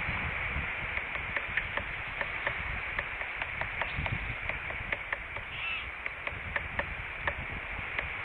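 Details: A Northern flicker perched on a branch of a bald eagle nest tree on 25 August 2013 taps on wood in sharp, dry knocks, about two or three a second, over a steady background hiss.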